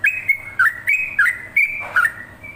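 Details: Brief burst of yellow-vented bulbul song: six or seven ringing whistled phrases with a short dip and upward flick, the last falling lower before a thin trailing note.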